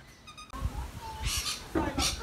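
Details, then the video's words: Australian rainbow lorikeets, described as having a loud, joyful picnic conversation, give two short bursts of harsh, rasping screeches about half a second apart, over low thumping and rustling background noise. "RAINBOW LORIKEETS having a LOUD Picnic!"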